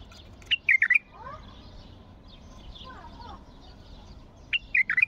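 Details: Bulbul's strong song used to stimulate other bulbuls into song. Two quick phrases of liquid whistled notes open and close the recording, with faint softer chirps between them.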